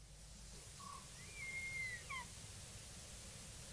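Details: Verreaux's eagle-owl drinking at a dam waterhole in the evening gives its soft, thin, drawn-out screech, rising, holding, then dropping away, over a low rumble; jackals alarm-calling, likely at lions, nearby.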